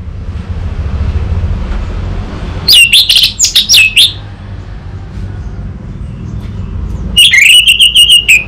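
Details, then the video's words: Orange-headed thrush song used as a lure and master track for training an untrained bird to respond and sing: two loud bursts of clear, high, warbled whistles with rapid twittering notes, separated by a quiet stretch with low background hum. "Pancingan dan Masteran Burung ANIS MERAH Bahan, SuPaya Nyaut Ngeplong dan Singset"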